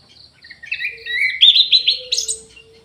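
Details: Orange-headed thrush in an aviary: quiet opening notes swell into a bright, tumbling stream of whistled phrases that rises higher toward the end.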